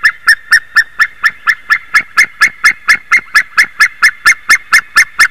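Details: White-tailed eagle, 28 March 2019 at 06:26, in a long unbroken chain of harsh barking yelps, around four each second, metronome-regular throughout, against a quiet background.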